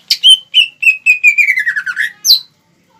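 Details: Greater green leafbird song used as a lure to provoke rival birds: a run of loud whistled notes sliding steadily downward, then a sharp high final note, with a clean quiet background.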